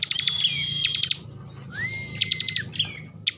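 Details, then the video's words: Kept bar-winged prinia in Slawi, Central Java, in emotional ngebren mode: a held high whistle, a rapid rattle, then a rising-then-flat whistled note followed by another quick burst of clipped repeated notes. "kicauan ciblek ngebren emosi"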